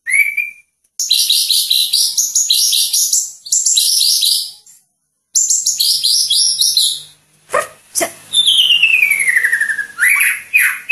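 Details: Caged Medan-type white-rumped shama in full, vigorous song: dense bursts of high, varied whistles and rattling trills with short pauses, then a long descending whistled glide and rising notes near the end.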